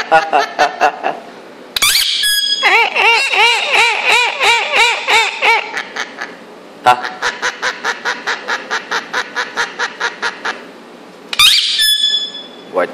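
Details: Two-year-old Indian ringneck parrot laughing and making silly sounds: a squawk, then wavering laugh-like notes and a long run of rapid even pulses, close to three a second, ending in a sharp squeak.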